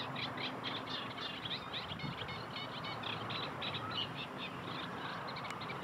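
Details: Lively chorus of Eurasian tree sparrows, with quick, clipped chirps tumbling over one another in an uneven, steady chatter throughout, backed by a faint continuous low drone.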